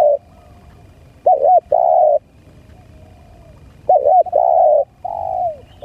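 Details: Lure recording of a spotted dove, two clear phrases, each a quick double-arched coo followed by a sustained mid-pitched hoot that tails off downward, separated by a quiet gap.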